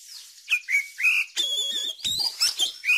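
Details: Oriental magpie-robin song used as a lure to get young birds singing and to tutor them: varied clear whistles, some steady and some sliding, with quick twittering notes and a few lower warbling phrases.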